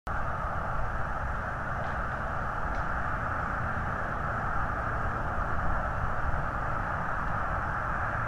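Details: Steady, loud broadband rumble like wind or distant traffic fills the whole recording, with no animal voice heard.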